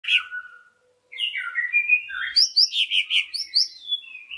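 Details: Greater green leafbird song used as a lure to stir other leafbirds into singing: clear whistled glides around mid-high pitch, a short pause, then a rapid run of chirpy, varied notes with some buzzy trills.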